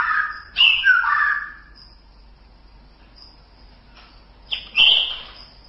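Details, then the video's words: White-rumped shama in a tutor recording for songbirds: two loud bursts of rich, slurred whistles with sharp upswept notes, separated by a quiet pause of about three seconds. "Masteran Suara Murai Batu"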